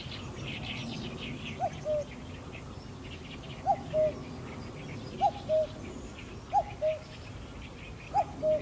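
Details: Common cuckoo filmed with a Sony A7M3 camera, giving its two-note cuck-oo, a higher note dropping to a lower, level one, repeated five times roughly every one and a half seconds over faint high insect chirring and distant small birds.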